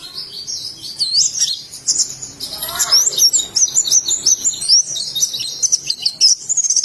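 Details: Indonesian oriental white-eye singing ngalas style, a lively string of very high twittering notes with quick up-and-down slurred whistles, continuous and busy throughout.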